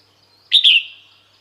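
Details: A female red-whiskered bulbul calling males to come to her, a brief loud doubled whistle, bright and slightly buzzy, dropping a little in pitch and fading out.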